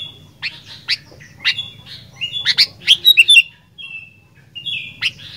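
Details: Fighter-style sooty-headed bulbul song: spaced sharp chirps quickening into a rapid cluster of squeaky notes, then softer whistled slurs, with a low hum in the background.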